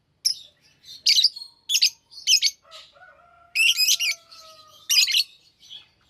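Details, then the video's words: Lovebirds chirping and singing: bursts of harsh, buzzy high chirps in short clusters, with a thin level whistled tone held for about two seconds in the middle. "lovebirds singing &chirping sounds"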